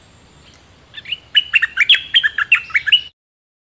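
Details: Dok Taeng bird singing, a recording played to train chicks and stir birds up: a lively two-second string of clear, downslurred chirps repeated rapidly and unevenly, ending abruptly.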